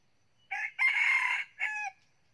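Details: A captive Red Junglefowl rooster about nine months old, a keen morning crower, gives one quick hoarse three-part crow: a short opening note, a longer strained middle and an abrupt clipped ending, with nothing else heard.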